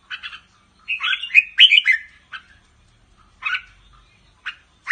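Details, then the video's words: Red-whiskered bulbul, Pa La-U line, caged in Thailand, singing and chattering: an opening double chirp, a long bubbling whistled phrase, then sparse short notes after a pause. "นกกรงหัวจุกสายป่าละอู ทั้งร้อง ทั้งริก นกร้องเบิ้ลๆ ริกๆ"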